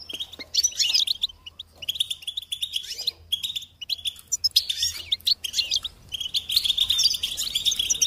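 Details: Bursts of European goldfinch twittering, separated by short silences, with buzzy trills and sharp high chirps, growing denser toward the end.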